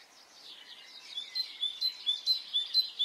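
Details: Birdsong on a spring morning in Brittany, France: after a soft busy chorus, one bird repeats sharp high whistled notes, each with a quick downslur, about twice a second, with other birds twittering faintly behind.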